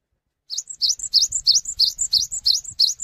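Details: Cinereous tit singing loudly to invite other tits to answer: a steady, fast string of about eleven high two-part phrases, each a rising stroke followed by a level whistle, over a low background rumble.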